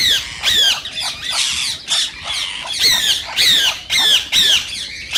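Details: Rose-ringed parakeet calls said to excite other parakeets to sing and mate: loud, shrill, descending squawks repeated about twice a second in steady series.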